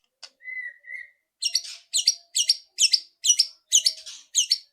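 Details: White-rumped shama loud rattling song meant to spur a bird to sing fast: one steady whistle, then seven harsh, buzzy, broadband rattles evenly spaced about every half second.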